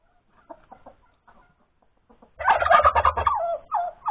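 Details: On 31 January 2021 at breakfast time, a hen that has laid an egg starts with faint, sparse clucks, then bursts into a loud, continuous run of harsh cackling notes, roughly three per second.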